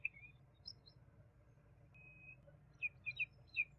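A juvenile common babbler gives thin, high chirps: a short opening note, a drawn-out whistle, then a quick cluster of four sharp chirps. Low background hum throughout.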